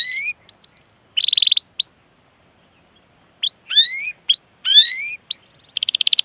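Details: Canary song meant as a lure for other canaries: short buzzy trills and upward-curving whistled notes, separated by a pause of about a second and a half.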